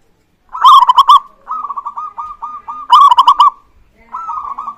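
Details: Local zebra dove singing as a lure to get other birds calling: clear, loud stuttering coos, each phrase a rapid run of pulsed notes that ends in a trill, three phrases in quick succession.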